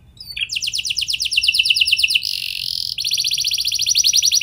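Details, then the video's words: Canary lure song for triggering other canaries: a fast, steady trill of high notes, a brief harsh buzzy stretch, then another rapid rolling trill. "Pancingan Ampuh Bikin Kenari Lain Bakal Ikut Gacor Do0r Dengan Pancingan Ini! Langsung Nyaut Ngeroll"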